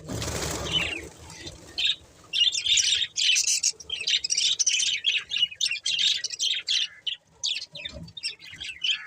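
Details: Budgies chattering: after a brief burst of broadband noise at the start, a steady stream of short, high, scratchy chirps and tweets follows in quick irregular bursts to the end.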